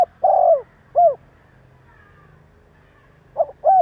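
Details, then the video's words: Spotted dove call, played to provoke rival doves: a long hoarse coo and a brief slurred coo, a pause of two seconds, then a fresh phrase of a quick note and another drawn-out coo. "Tiếng chim Cu gáy Gáy giọng bổi nghe cực ghét / Chim cu gáy kích bổi 100% mở là gáy"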